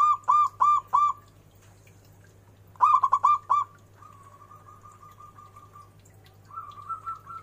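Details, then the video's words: Local zebra dove with a big, ornamented voice, singing lively: two bursts of rapid stuttering coos, each four or five quick hooting notes, followed by softer, evenly spaced faint notes and a brief quieter trill. Constant low hum throughout. "perkutut lokal gacor suara BESAR DAN BERCENGKOK"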